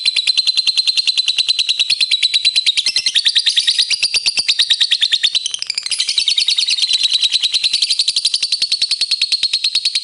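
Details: Lovebird singing nonstop as a provoking lure for rival birds: dense, shrill, rapid chattering trill running through all ten seconds, with slight swells in pitch and intensity.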